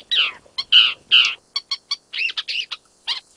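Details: An Isabelline shrike in Jiangjun District, Tainan, Taiwan, on 25 December 2023, the first record for Taiwan's main island, gives a scratchy, uneven series of harsh rasping notes mixed with short clicks and brief higher chips, about two or three per second.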